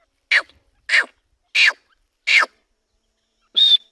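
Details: Grey francolin calling: four loud, harsh downward-sweeping notes about every 0.65 seconds, then a sharper high whistled note after a pause. Quiet background.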